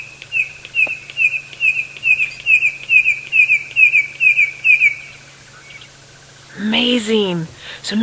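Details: Male Red-crested Korhaan at dawn, Sabi Sand near Kruger Park, South Africa, 23 November 2017, giving a partial call with tap-tapping bill clapping rather than the full display; sharp, evenly spaced ticking notes, about three per second for five seconds, then a man speaks.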